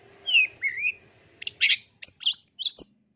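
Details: A long-tailed shrike song, used as therapy and song tutoring for caged shrikes that sing little, gives two sliding whistles, then a quick run of harsh, scratchy chatter mixed with high, thin squeaky notes.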